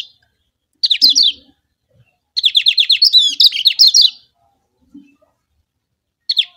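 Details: Kecial kuning, the Lombok yellow white-eye, sings a lure meant to get rival birds singing. A short twitter opens, then a long fast string of sharp repeated chirps runs into rapid warbling. A final brief twitter follows, with faint low knocks between.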